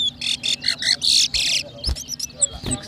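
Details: A seed finch, locally called towa towa, singing at a 2023 bird whistling competition in Berbice, Guyana. Loud, harsh, buzzy phrases repeat in short bursts, then thin high whistles and a couple of knocks follow.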